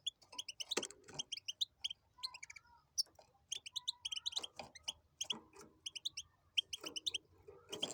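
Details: A hybrid of goldfinch and canary performs tibetano and tuitero style song, a dense run of quick high tweets and clipped notes in varied groups, broken by a few clattering knocks.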